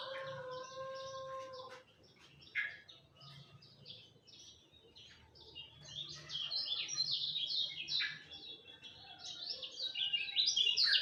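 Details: Lemon-bellied white-eye singing at dawn: faint, scattered high notes over a steady tone and low hum, building into a louder, quick twittering warble in the second half.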